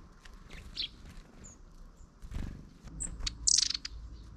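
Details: Long-tailed tits in a flock on 31 December 2022, including one short-tailed individual among the long-tailed ones; brief thin high-pitched calls scattered through, ending in a brighter burst of sharp calls, over low rumbling background noise.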